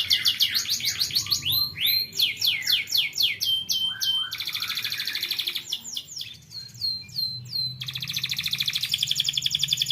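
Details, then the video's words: Young canary singing as a lure to teach other canaries, a long run of fast bright trills and looping downslurred whistles in several phrases split by short pauses, with a low hum underneath. "BUAT KENARI PAUD LEBIH RAJIN BUNYI"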